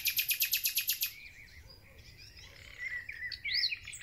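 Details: Thrush nightingale singing at the start of spring. A fast burst of about nine loud, sharp repeated notes opens the phrase, then softer warbled whistles and a bright rising flourish at the end, with other birdsong faint behind.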